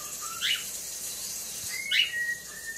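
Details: Phone recording of a pet male talking cockatiel in low light as he watches himself on screen; two bright, sharp chirps about one and a half seconds apart, each trailing into a steady whistled tone.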